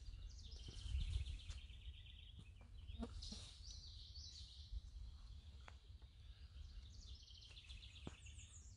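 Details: American Redstart at Landis Arboretum, two birds present and fighting, singing a faint, high, thin series of quick notes, once at the start and again near the end, over steady low wind rumble.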